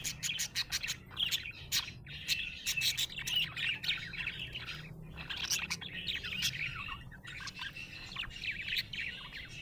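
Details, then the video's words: Happy budgerigar chirping: a busy stream of rapid, bright warbled chirps and clicks, high and chattering, with short pauses around two and five seconds. "Happy budgie chirping sound"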